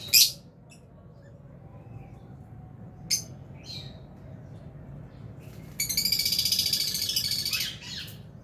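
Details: Lovebirds, albino and Fisher's, in an aviary colony: a few sharp high chirps spread apart, then a loud rapid buzzy chattering burst lasting about two seconds near the end.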